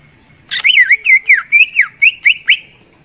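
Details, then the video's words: Lure song of a greater green leafbird for prompting quiet birds: a sharp opening note followed by a string of varied, looping whistles and downslurs, roughly two per second. "pikat mp3 cucak ijo dan bisa untuk Terapy untuk burung yang malas bunyi"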